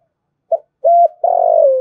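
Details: Spotted dove calling to provoke rival doves, a brief clipped note, a steady mellow coo, then a long rough coo sliding slightly down at the end.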